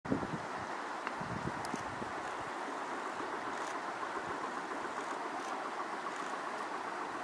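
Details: Quiet outdoor wind and a low steady rumble, with no clear animal call heard.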